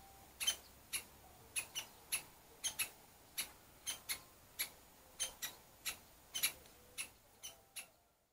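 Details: Woodpecker parents defending their nest with nestlings give a string of sharp, dry 'kik' calls, roughly two per second, some in quick pairs, ending abruptly in silence.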